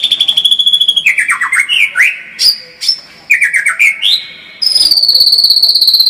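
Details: Lively white-rumped shama song: a high rapid trill, then twice a cascade of falling whistled notes followed by a rising slur, closing with another fast, very high trill.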